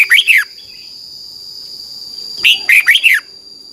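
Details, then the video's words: Red-whiskered bulbul song played each morning to train young caged birds in Thailand: two short bursts of loud, rich warbled notes sweeping down from high to lower pitch, separated by a pause, with a steady high electronic whine behind. "นกกรงหัวจุก, 30 นาทีทุกเช้า เพื่อให้นกเรียนรู้ที่จะพูดได้อย่างรวดเร็วและหนักแน่น"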